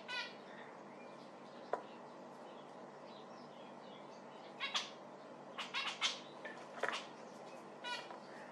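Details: Zebra finch heard in faint, scattered nasal calls, clustering into a brief flurry midway.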